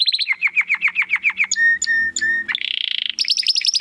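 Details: Domestic canary song meant for training contest birds, with a run of repeated falling whistles, three held flat tones, a buzzy trill and rising chirps; faint low hum beneath.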